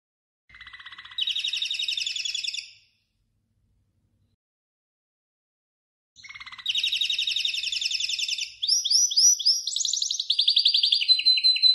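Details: Goldfinch × canary mule, with 90% of its colour from the canary, sings bright, rapid twittering phrases broken by trills and clear whistled notes; a song recording for training birds.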